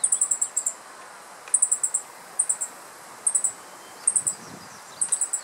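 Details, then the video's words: Male meadow bunting in riparian forest in Japan, mid-July, perched on a dead branch after swallowing an insect, gives thin, very high ticking alarm notes at the observer, in bursts of three to six, about once a second. "Meadow Bunting Calling on Alert ホオジロ♂（野鳥）の捕食と警戒声"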